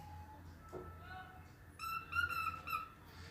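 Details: A pet cockatiel, singing while playing happily with budgies, whistles a clear phrase of a few sustained, slightly wavering notes.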